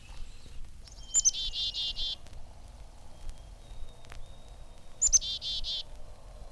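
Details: Black-capped Chickadee calling chickadee-dee-dee, pronouncing its name: a couple of high, thin opening notes followed by a run of buzzy, rasping dee notes, the whole call given twice about four seconds apart against soft outdoor noise.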